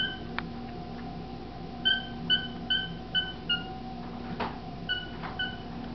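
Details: A year-old male cockatiel kept as a pet, reported to be speaking his own name; a quick run of clear whistled syllables, several in a row then a pause and two more, over a constant indoor hum.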